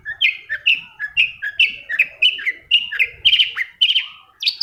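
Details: Long-tailed shrike lure song to make quiet shrikes sing: a steady, rhythmic series of two-part whistled phrases, each a lower note rising to a higher one, repeated about twice per second.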